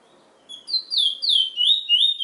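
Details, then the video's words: Short burst of song from a Trinidad bullfinch, the chestnut-bellied seed finch: several liquid whistled notes sliding downward in quick succession, starting after half a second of quiet. "Trinidad bullfinch MUSIC"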